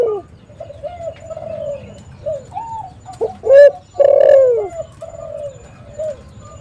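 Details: Spotted dove call for luring wild doves: soft low coos, then one loud phrase of a short note and a long, rough, downward-sliding coo, followed by gentler cooing.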